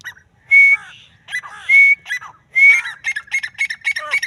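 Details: Female grey francolin, or Dakhni teetar, gives drawn-out rising whistles about once a second, followed by a quickening string of short chattering notes at the end.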